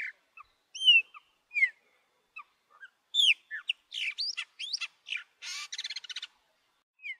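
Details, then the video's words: Chopi blackbird, shown with its chicks, sings a varied run of clear slurred whistles, then quick buzzy and rattling notes, high-pitched and irregularly spaced over several seconds; females also sing. "Pássaro Preto Cantando"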